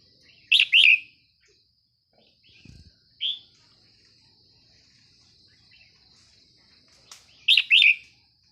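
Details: In the morning, a wild young red-whiskered bulbul, plumage still mixed brown and turning red, responds to a caged decoy. It gives short bursts of bright, liquid warbled notes, paired near the start and end, over a steady high hiss.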